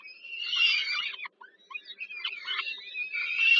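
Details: Harsh begging screams of peregrine falcon chicks fed by their mother, Warsaw's Żerań power plant, Poland, 15 July 2022, evening meal; a long wheezy scream, a short pause, then choppy squeals building again over a faint hum.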